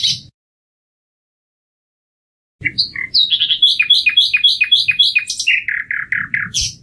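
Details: Common nightingale singing after a pause: a few scattered notes lead into a fast series of repeated downward-sweeping chirps, then a slower string of similar lower notes.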